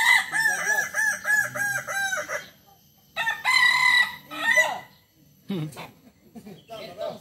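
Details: A Kukuak Balenggek chicken, endemic to Tigo Lurah in Solok and now bred across West Sumatra, crows in many levels. Quick, evenly bouncing arched notes are followed by a shorter second burst and scattered fainter crowing fragments.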